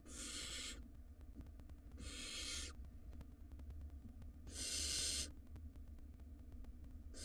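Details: A wild barn owl nestling swallowing a rodent inside a monitored nest box makes four rough, noisy hisses, two close together, then a longer gap before a strong one, with steady low hum behind.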